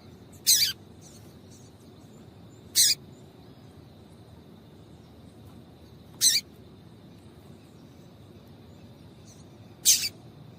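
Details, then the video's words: Female double-collared seedeater piping to get a male singing: four short, bright chips at uneven gaps of two to four seconds, with faint extra ticks and a thin steady tone behind them. "Piado de Fêmea de Coleiro para Esquentar Coleiro"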